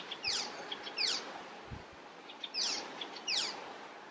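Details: Icterine warbler in song in Västerbotten, Sweden, 27 June 2021: bursts of quick high downslurred whistles and chattering notes, repeated in short phrases about every second and a half over a quiet background.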